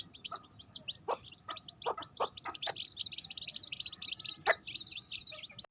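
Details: Chicks peeping rapidly and almost continuously in high, short notes while the mother hen gives scattered, abrupt low clucks among them.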